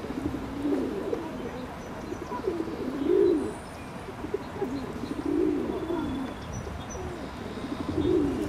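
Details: Ring-necked duck: soft, low arched calls, each swelling and falling, given about every two to three seconds over a steady rumbling background of low noise.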